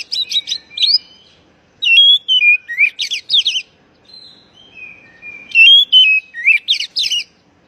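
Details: Oriental magpie-robin call, used to get stressed, non-singing birds going again: rich bursts of fast, scratchy, warbled notes mixed with clear whistles, separated by a soft, thin, sliding whistle.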